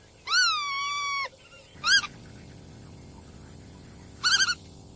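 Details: Black-tailed godwit: a drawn-out, level nasal note lasting about a second, then a short sharp call, and later a quick stuttered triple note, all richly harmonic in a quiet setting.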